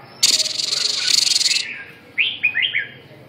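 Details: Red-whiskered bulbul with a red eyelid, a "siêu ché" singer: a loud buzzy, rapidly pulsing rattle of about one and a half seconds, then three quick clear whistled notes that slur downward.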